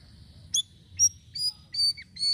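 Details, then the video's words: Sirisiri calls, recorded to attract birds. Clear, high, piping whistles given about every half second, some with a short dropping inflection, in a quiet setting. "GACOR UNTUK PANCINGAN BURUNG SIRISIRI DENGAN VARIASI SUARANYA"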